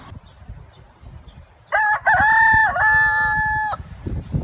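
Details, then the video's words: Rooster crowing: one long, loud, ringing cock-a-doodle-doo lasting about two seconds, rising then held steady, over a background of low rustling noise. "Rooster cuckooing how a rooster crows"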